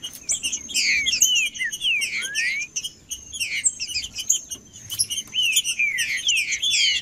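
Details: Captive green-winged saltator song used to warm up a cold caged bird: a fast run of bright whistled slurs, mostly downward, with a clear rising glide near the middle, over dense high chirping and a faint constant high tone.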